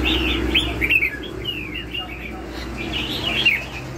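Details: Lân hầu bò style song of a red-whiskered bulbul: clear whistled phrases with swooping downward slurs and quick warbled notes, broken by short pauses, over a constant low hum.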